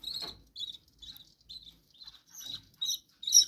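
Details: Captive budgerigars in their room giving soft, scratchy chirps and warbling notes in short bursts roughly every half second, a few brighter squeaky notes near the end.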